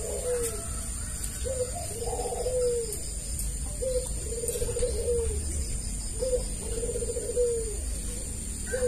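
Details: Spotted dove, known locally as tekukur, cooing as a lure for other doves: three phrases, each a short note then a longer wavering coo ending in a falling slur, over steady background hiss and hum.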